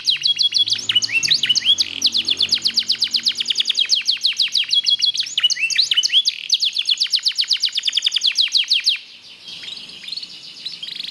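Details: Singing black-red mosaic canary: long rapid trills with buzzy rolls and whistled phrases that end abruptly, leaving only faint chirps in the last seconds.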